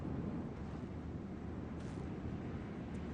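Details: Constant wind buffeting the microphone with a low roar, and no animal sounds.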